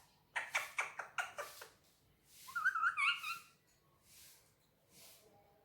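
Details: Talking Indian ringneck parakeet on a table indoors, Urdu/Hindi words: five rapid raspy syllables, then a warbling, wavering whistle that rises at the end, followed by quiet.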